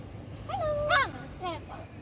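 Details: White cockatoo, a talking pet parrot, making a few short speech-like syllables, one drawn-out mid-pitched tone followed by a sharp rising burst and a falling squawk, over faint room hum.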